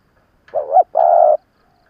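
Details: Single coo phrase from a veteran decoy spotted dove used to provoke wild birds: a wavering rising first note runs into a longer, even, mellow second note, then silence.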